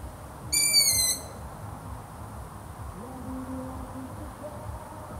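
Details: Long-eared owl giving one high, piercing, whistled squeak of about half a second that dips slightly at the end. Quiet background follows, with a faint low hum.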